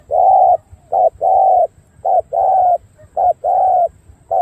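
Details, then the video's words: Loud, clear cooing from a dark purple-legged spotted dove of Cà Mau in the đồng gù style: a brief note then a sustained level coo, repeated steadily about once a second. "Đồng gù bài bản tốt chân tím đen"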